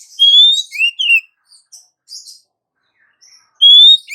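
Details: Lure call of a female Oriental magpie-robin summoning the male: a long ascending whistle, then two quick curved notes, soft scattered chirps, and the long whistle again at the end.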